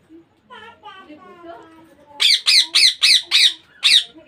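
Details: Soft, whiny tonal notes give way to a rapid series of six loud, raspy squawks from a baby Indian ringneck parakeet, roughly one every third of a second.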